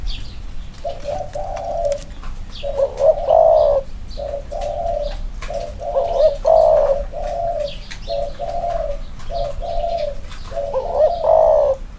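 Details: Two spotted doves set next to each other to compare cooing style; a long series of hollow coo notes in even groups, with occasional louder overlapping notes from the second bird and light rustling.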